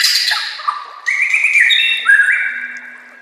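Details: White-rumped shama master recording for training: a fading high phrase followed by steady, slightly wavering whistles at a middle pitch.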